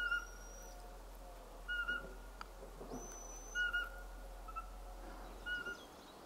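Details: Eurasian pygmy owl in March 2024 gives level piping whistles spaced one to two seconds apart, each brief and steady in pitch, while a thin, higher whistle from another bird and a constant low hum run beneath.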